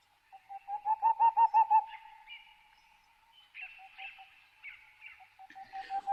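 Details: Boreal owl in the Pyrenees, male territorial song: a quick run of about six soft, hollow hoots, roughly five per second, a babbling recalling a hoopoe but more melancholic, followed by fainter, higher scattered notes.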